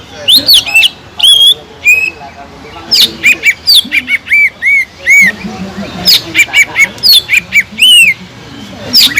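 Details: Green leafbird singing a lively provoking song for birds lacking emotion: high squeaky notes mixed with loud arched whistles, uneven rhythm, quiet low rumble beneath.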